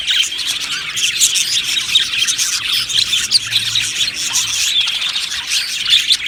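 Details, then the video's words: Aviary colony of budgerigars chattering, described as happy: overlapping bright chirps, warbles and short squawks piling into a busy, unbroken high-pitched din. "Budgie Sounds for lonely Budgies | Happy Budgies Birds Sounds"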